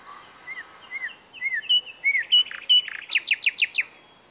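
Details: Singing nightingale: slurred rising and falling whistles that quicken into a string of loud chirps and end with several sharp downward strokes.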